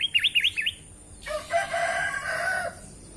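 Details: A tame Sooty-headed Bulbul giving four quick, bright, bubbly notes that rise and fall, followed by a long, harsh, rooster-like crow.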